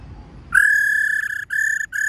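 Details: Female laughingthrush giving its 'ro' call, used to excite male birds: a long, steady, buzzy, harmonic-rich note with two short breaks, so it sounds like three flat, level segments, over a quiet background.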